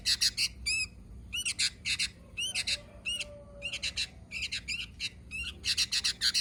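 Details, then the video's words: Sooty-headed bulbul: a series of harsh, broadband chattering bursts in quick clusters, interspersed with a few arched, rising-falling notes, with short pauses between groups and a faint low hum beneath. "Suara Burung Kutilang"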